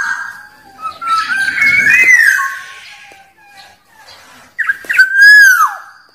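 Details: A black-naped oriole, wild, whose song serves to provoke rivals: a long, wavering, mellow whistle, a pause, then a loud downward-sweeping fluty note.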